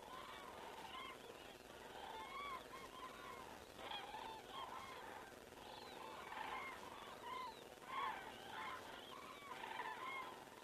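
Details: Common cranes flying over in Estonia at 19:10 on an evening in September 2017, many birds giving overlapping trumpeting, bugling calls continuously, picked up by a crane camera amid steady background hiss.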